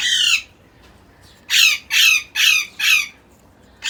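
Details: Tame six-month-old African Congo grey parrot chick from Karachi, Pakistan, already self-feeding and starting to whistle, giving a rapid series of four harsh rasping squawks after one opening screech, each roughly half a second long.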